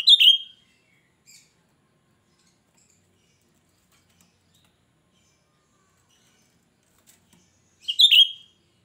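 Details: Untrained cucak rante in steady song, a shrill voice used to lure other birds: two loud piercing phrases about eight seconds apart, each a sharp high burst with a brief buzzy tail, silence between.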